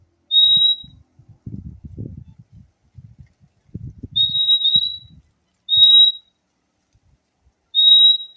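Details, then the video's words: Fim-fim singing in high, flat whistled notes, one long, then a doubled note and two short single whistles spaced about two seconds apart, over low rustling and handling noise. "O LINDO SOM DO PÁSSARO FIMFIM"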